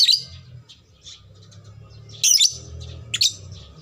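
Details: Lovebird sound used as a lure to prompt other lovebirds to respond with long chattering, known as ngekek; brief shrill, harsh high-pitched bursts at the start, near the middle and near the end, with quiet low hum between.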